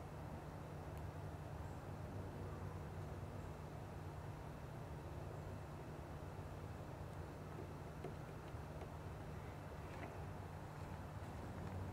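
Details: Steady low rumble of passing traffic or engine noise, with no animal calls heard.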